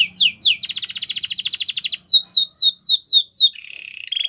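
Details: Canary singing to teach other canaries: a few sweeping notes, a fast pulsed trill, then six slow descending whistled slurs and a low buzzy roll at the end.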